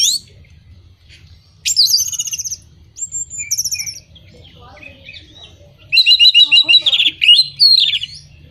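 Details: Orange-headed thrush song played to moulting, silent or non-breeding birds: high buzzy trills and whistles, a quieter stretch, then a loud rapid run of repeated notes over faint low hum.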